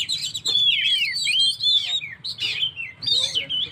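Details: Oriental magpie-robin in energetic song meant to fire up stressed birds: loud sweet whistles sliding downward, repeated slurred phrases with brief scratchy notes between.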